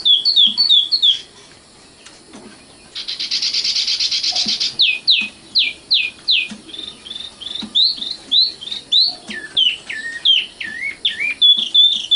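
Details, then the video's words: Common nightingale song opens with rapid whistles, followed by a loud, sustained buzzy rattle lasting nearly two seconds. Long sequences of clipped, repeated whistled notes follow, some dipping lower in pitch. "kicau burung sikatan londo matal"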